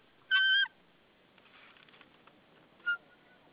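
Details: At a nest in Saunja, Estonia, a White-tailed eagle calls on 22 March 2013 in the afternoon as its partner brings a stick; one loud, level whistled note, then soft rustling and a brief quieter note.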